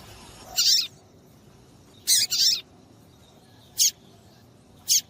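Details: A female papa-capim seedeater, calling to get males singing, gives a broad high burst, then a quick double note, then two short sharp chips about a second apart.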